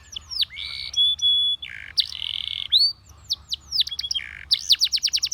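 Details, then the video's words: Spanish Timbrado canary song for training canaries: sweeping downward whistles, a sustained pure tone, buzzy held notes and a fast run of repeated rising-falling trills, all high-pitched and clear. "The Most Powerfull Spanish Timbrado Canary Singing"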